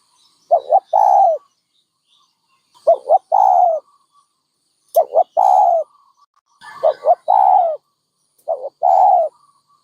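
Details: A dove coos five times in succession, short paired notes each followed by a drawn-out, gently falling coo; faint higher bird notes appear in the background.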